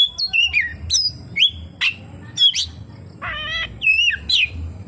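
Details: Oriental magpie-robin with kapas tembak imitation in its song; loud downslurred whistles and sharp chips, broken by one nasal, harmonic wavering call midway.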